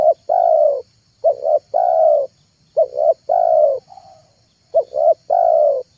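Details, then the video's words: Spotted dove cooing meant to lure wild doves: repeated phrases of two brief hoots and a long, slightly falling coo, about four phrases in quick succession, plus a soft extra note and a steady faint high hum. "MP3 TEKUKUR PIKAT TERHITZ DI AKHIR TAHUN 2022,,pikat tekukur"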